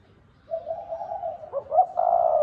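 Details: A soft, low, wavering coo leads into a quick pair of notes and then a loud, steady, long coo from a spotted dove, 'thúc bổi' style.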